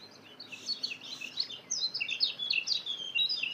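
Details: White-eye song played to lure wild birds: fast, high, sweeping twittered notes tumbling in a continuous chatter, rising and falling, with background hiss.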